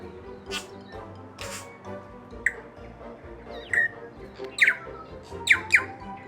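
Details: Wild bellbirds near Picton, Marlborough, New Zealand, on the Cook Strait; the local call is likened to ripping. Brief, sharp notes and quick downward-swept strokes, scattered irregularly across about six seconds, over steady background music.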